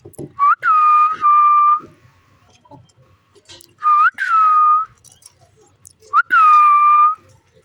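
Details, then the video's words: Green parrot playing with its owner repeats a pattern three times: a short upslurred whistle followed by a long, steady, slightly falling whistled note, with soft rustling and clicks between. "Beautiful Green Parrot Playing & Making Stunning Sounds"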